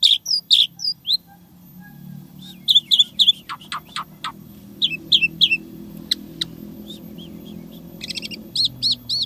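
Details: Asian pied starling singing an isian tembakan repertoire of imitated sounds: clipped high whistles in clusters, a few sharp vertical clicks, and a closing run of rapid trilled chirps, with a faint low hum behind.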